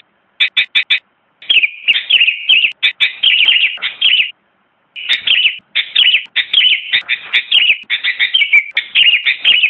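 Sooty-headed bulbul singing fast, bubbly bursts of high chattering notes, with brief pauses between phrases and a quiet background.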